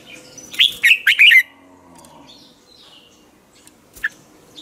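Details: Red-whiskered bulbul giving a morning training song as a decoy for other bulbuls: one loud run of four quick, liquid, warbled notes, then near quiet with faint high calls and a single short chip.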